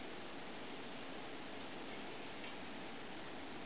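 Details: Steady muffled hiss and faint ticking indoors, with no bird or other animal sound.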